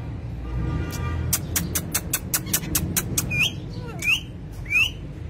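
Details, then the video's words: A run of quick, evenly spaced tapping clicks, then a parrot calling three short, shrill rising squawks toward the end, with low rumbling background noise throughout. "Parrot Talking"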